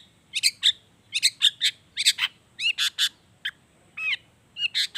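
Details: Long-tailed shrike in energetic song packed with imitated wild-bird phrases, used to coax silent shrikes into singing: short sharp high chirps and downslurred notes in uneven bursts, with brief pauses between clusters.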